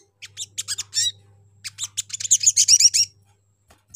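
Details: Little spiderhunter lure call for drawing other spiderhunters to respond: two bursts of sharp, high chips, about four a second, rising into a fast chattering run, over a faint low electrical hum.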